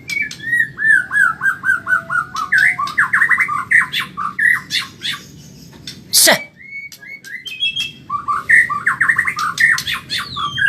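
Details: Medan-type white-rumped shama in a cage giving fast, continuous training song. A chain of repeated descending whistled notes is followed by tumbling warbles. A loud sharp noise breaks in midway, then rapid whistled phrases resume.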